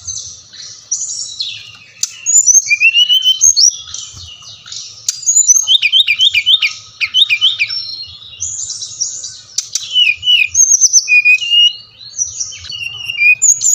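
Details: Brown-chested jungle flycatcher, song used as a lure so captive birds answer and sing; long varied run of high sweeping whistles, fast rattling trilled bursts around the middle, and descending slurs, steady low hum in the background.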